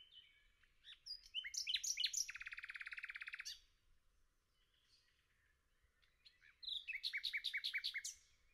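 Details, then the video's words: A nightingale sings in a forest, recorded either north of Cologne, Germany, in June 2002 or near Paciano, Umbria, Italy, giving two varied phrases of whistles and chirps, the first ending in a buzzy trill, the second in fast repeated notes. "Пение Соловья в лесу Singing Nightingale in the forest"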